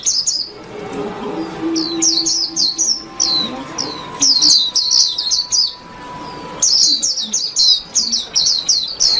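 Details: White-eye warbling song: bursts of quick, sharp, high chirps that slide downward, delivered in fast runs with pauses between phrases, over a steady faint hum and soft low background sound.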